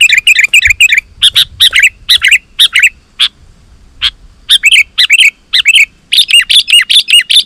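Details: Vigorous sooty-headed bulbul song used to call wild bulbuls: almost continuous bubbly chirped phrases and rapid note runs over seven seconds, with one brief quieter gap midway.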